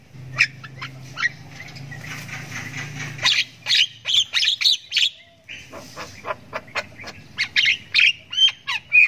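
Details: Ngriwik panjang from a Javan myna chick practicing sounds: a long stretch of repeated harsh, scraping squawks with short clicks mixed in, and a low hum underneath during the opening seconds.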